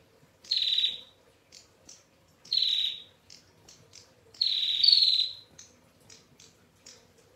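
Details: Female bar-winged prinia singing a long, clear rattling ngetir song: three loud, buzzy, slightly descending high notes about two seconds apart, with soft high chips in between.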